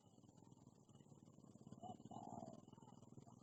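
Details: Aggressive wild spotted dove answering a decoy bird in a trapping session: a brief low note followed by a longer wavering coo, half-buried under a constant pulsing engine-like hum.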